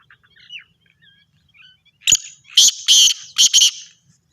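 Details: Black francolin, Sindhi variety, calling: after a sharp click, a burst of harsh, raspy notes in an uneven series of four or five grating syllables, preceded by faint chirps from other birds.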